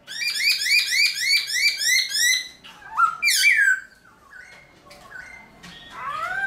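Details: Early-morning song from a caged black-throated laughingthrush (Garrulax chinensis), used for training: a fast run of about four sharp chirping notes per second, then high descending buzzy sweeps and slower whistled phrases, fading before a final rising whistle.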